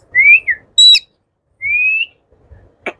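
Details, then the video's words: Indian ringneck parakeet, a talking pet, giving clear whistles. A rising-falling whistle is followed by a shrill high note. A long, slowly rising whistle comes next, and a brief click ends it in a quiet room. "Indian ringneck parrot 🦜|| talking parrot ringneck || yellow,blue 💙, green 💚 ringneck nice talking"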